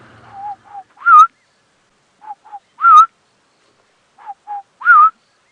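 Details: Southern Boubou, South Africa, at sunrise on 20 March: a mellow whistled phrase, two soft low notes then a louder rolling whistle, repeated three times about every two seconds.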